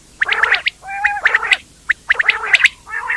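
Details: Indian quail call in gargling, harmonic bursts of chattering notes, each burst about half a second long and separated by short pauses, mixed with a few sharp high chirps.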